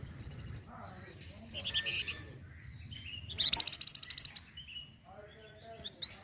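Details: Flamboyan songbird, kept as a model for training other songbirds in Indonesia, sings a varied phrase: squeaky high chirps, then a fast bright trill of about a dozen sharp notes, a brief pause, and a closing high chirp.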